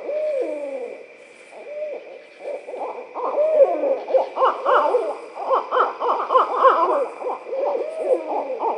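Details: Barred owls (Strix varia) break into a wild caterwauling duet of cackling, laughing hoots and rising-falling wails that overlap and grow frantic toward the end, with a steady insect drone behind.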